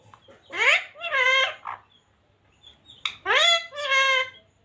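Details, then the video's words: Happy pet parrot chattering in two short bursts of rasping, speech-like syllables, each opening with a sharply rising note, separated by a brief silence. "my mittu talking happy"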